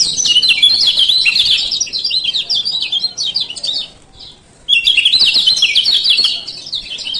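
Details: Lombok kecial kuning male giving ciak ciak calls as a master recording for birds reluctant to sing: two loud bursts of rapid high chirps separated by a short near-silent gap.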